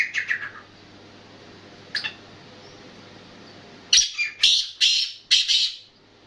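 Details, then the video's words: Black francolin calling: two short bursts of harsh, grating notes, then a louder run of five rasping, buzzy notes about half a second apart, against a quiet, steady background hum. "Kala Teetar ki Awaz"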